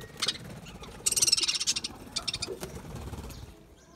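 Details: Budgerigar chattering in a quick, uneven run of high scratchy chirps and buzzy notes, loudest in a dense burst around the middle, with a low rumbling background throughout.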